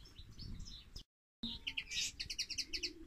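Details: European goldfinch singing, set against a linnet; rapid bright twittering and chirping phrases, with a run of short, evenly repeated high notes in the second half after a brief gap of silence.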